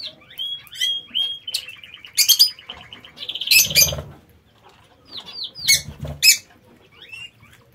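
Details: Several lovebirds in a home aviary: high twittering notes, a rapid buzzy trill, then loud shrill chirp bursts and scattered squeaks, with some low fluttering underneath.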